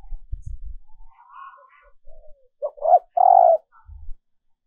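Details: Female dove calling males, recorded for decoy training: faint wavering coos and low thumps, then two stepped notes and a long, strong coo.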